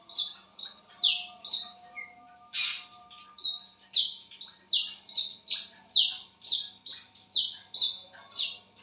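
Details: Wiceh bird at midnight giving a long run of bright whistled notes, some falling and some flat, repeated rapidly with a short noisy burst partway through and a faint low hum beneath.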